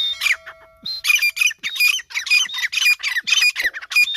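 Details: Pair of grey francolins calling together: harsh, high, rhythmic squawking phrases repeated rapidly in bursts, each note ringing with a clear metallic overtone, almost unbroken over four seconds.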